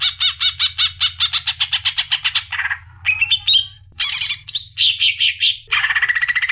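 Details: Calling female greater green leafbird summoning the male: quick harsh notes slow into slurred, dropping squawks, then loud scratchy bursts and a sustained buzzy phrase. Low hum persists behind.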